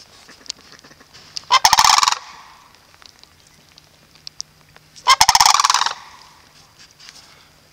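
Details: Sandhill cranes at Reifel Bird Sanctuary give two loud, rolling, rattled bugling calls, each about half a second long and a few seconds apart, with quiet background between.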